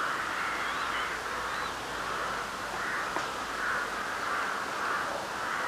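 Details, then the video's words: Crows calling on a spring night under a full moon in March 2021. Hoarse, rasping caws blur into a steady chorus, with swells roughly every second over a constant noisy hiss. "Varnų garsai"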